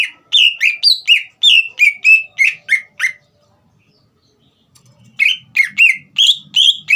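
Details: Energetic green leafbird song meant to rouse a young bird into singing. A rapid string of chirpy, down-sweeping notes runs for three seconds, then a pause, then another burst of similar slurred whistles over a faint low rumble.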